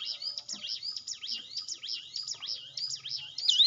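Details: Hill prinia song played as a lure to train a quiet, timid caged bird to sing: a fast, unbroken run of high, swooping whistled notes that rise and fall, with faint low rumbles beneath.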